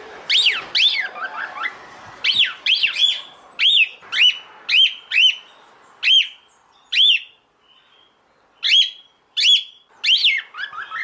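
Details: A calling female cockatiel seeks a male for mating. She repeats clear upslurred-then-downslurred whistles, about fifteen in all, in steady bursts with a brief silent pause midway. A faint lower twittering comes through at the start.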